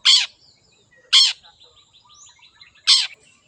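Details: Long-tailed shrike, wild, giving three loud harsh grating rasps about a second apart, with soft twittering notes between them.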